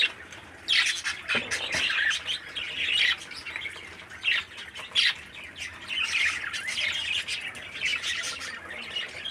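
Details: Thirteen-day-old captive parakeet chick, tended by its breeding parent, keeps up continuous hoarse, rasping squawks in uneven bursts, loudest during the first half.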